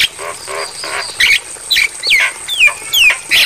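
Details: Javan myna singing on a training recording for pet mynas, said to suit playback at night: raspy buzzy phrases alternating with clear whistles that sweep downward, about two per second, over a faint constant high tone.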